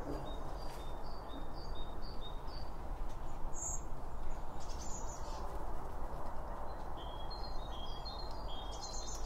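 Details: Birds chirping while eating at a feeder, recorded binaurally by two microphones two meters apart: quick series of high thin notes at the start and end, a brief twitter in between, over steady low noise.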